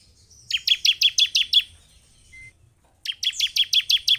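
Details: Bar-winged prinia recording meant to provoke caged birds into excited singing: two runs of rhythmic, ringing, slightly buzzy notes, about seven per run, delivered evenly.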